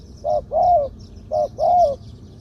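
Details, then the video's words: Spotted dove used as a ground decoy, medium-pitched voice, giving two phrases of the two-kuk 'ku-ang' pattern: a clipped coo and then a drawn-out, gently arching coo. "2 กุก คูอ่าง คารม เสียงกลาง ตัวนี้น่าเก็บทำนกต่อครับ นกเขาใหญ่ต่อดิน เสียงนกเขาใหญ่"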